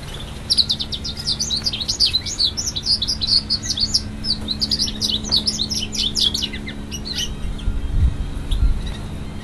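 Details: Hybrid mule bird, the offspring of a female Timbrado x American Singer canary and an African St Helena canary, singing a rapid, continuous stream of high chirps, twitters and short trills with no pauses, over a low steady hum.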